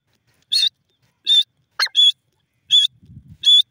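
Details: Grey francolin, locally desi or jungle teetar, calling: five short, loud, harsh high notes repeated roughly every 0.7 seconds, with one lower, downward-sweeping note between them and a faint low rumble near the end.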